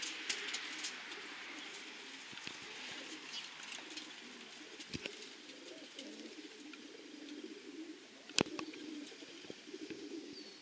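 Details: Racing pigeons in a loft: low, soft cooing murmurs run almost continuously beneath scattered sharp clicks and thin high chirps from other small birds, with a loud knock near the end.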